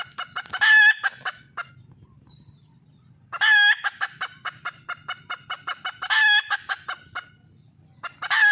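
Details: Female wild red junglefowl calling for a male partner. She gives repeated bursts, roughly every three seconds, of a harsh, harmonic squawk trailing into many rapid, choppy clucks, over a steady low rumble.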